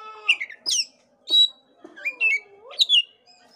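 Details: Oriental magpie-robin vocalising, used to encourage a listless magpie-robin: scattered loud notes, including a long, slow, downward-slurred whistle and short sharp high chirps with gaps between them.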